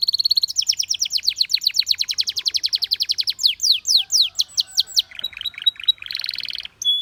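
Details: Belgian canary song that got many canaries singing: a buzzy opening roll, then a long steady trill of rapid falling notes that slows into wider sweeps, ending in buzzy rattles.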